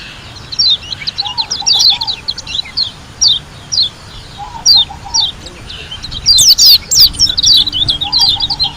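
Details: Pleci, a white-eye from Lombok, singing in a busy 'ngalas' style. Clusters of high twittering chirps repeat, with a loud dense flourish near the end. A quieter low trilling twitter recurs in the background.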